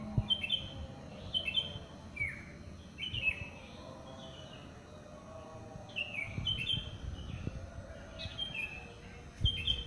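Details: Dawn birdsong heard in a housing complex after the morning prayer: a lively run of bright, downslurred chirps, often in quick pairs, with a few faint clicks and a constant low hum behind.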